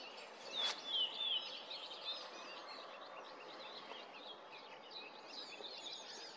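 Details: Whinchat (Saxicola rubetra) song, recorded in 2024: a short phrase of clear, slightly falling whistles followed by faint, scratchy twittering, over a steady hiss of outdoor background noise.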